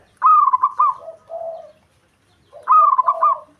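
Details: Javanese local zebra dove provoking a rival: two loud trilled cooing phrases, each followed by softer, lower, longer coos, about 2.5 seconds apart.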